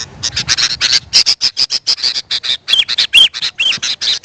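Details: Sooty-headed bulbul calls, used as a lure for wild birds: rapid, harsh chattering notes repeated about twice a second, with a few short whistled slurs in the second half.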